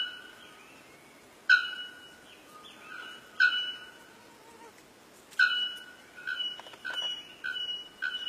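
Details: Bare-throated bellbird, known locally as pájaro campana, called the worthy bird of Paraguay: loud, abrupt, ringing metallic notes rich in overtones, about every two seconds at first, then a quicker series of shorter strikes, with soft whistles between.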